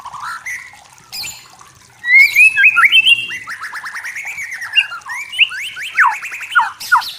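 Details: White-rumped shama (murai batu) of forest stock singing: a loud run of varied whistled and slurred notes, rapid downward-sweeping phrases repeated after a quieter opening with a brief burst of noise.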